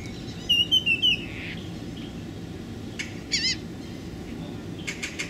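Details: Hooded warbler during the April 2013 migratory fallout, South Padre Island convention center nature trail, Texas, 28 April: a quick run of four clear, slurred whistled notes, then a brief warbled phrase and sharp chips, over low rumble.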